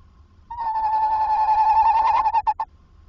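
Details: Tawny owl calling while entering a nest box at night, 21:45, 27 August 2024. One sustained quavering note lasting about two seconds, ending in a few short broken pulses, against a faint low hum.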